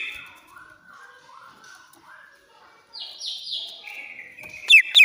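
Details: Greater green leafbird from Banyuwangi in agitated shrill song to coax a silent bird to sing: low wavering warbles, then stepped falling whistles and two sharp looping notes at the end.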